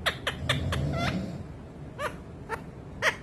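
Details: Young pet parrot courting its owner's foot, trying to woo it as part of choosing a partner; a run of short harmonic squawks, several quick ones then spaced, rising-falling cries, over low room rumble.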